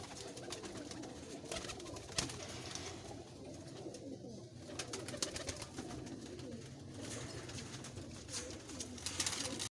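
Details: A pair of domestic Kalduma pigeons gives low rolling coos murmuring almost continuously, with sharp clicks and shuffling in an enclosed room.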